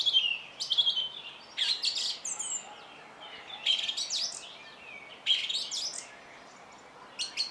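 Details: A song thrush sings loud, high phrases of clear whistles and sharp chirps, separated by pauses of a second or more; a similar phrase returns later in the song.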